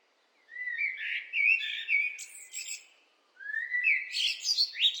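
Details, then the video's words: Blackbird singing two phrases: mellow warbled notes rising from low to mid pitch, each ending in higher squeaky twitters, with a short pause between phrases and no other sounds. "What do blackbirds sound like?"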